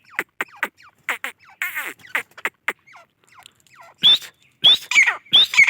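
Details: Grey francolin with a scattered run of quieter, raspy, downward-sliding notes, then loud harsh calls near the end, each opening with a high rising whistle and breaking into a rough falling squawk.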